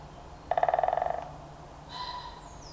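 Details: Great spotted woodpecker drumming loudly on a tree trunk in woodland in March 2025: one fast burst of about sixteen hollow knocks lasting under a second, slowing and fading slightly at the end, then a faint higher bird note afterwards.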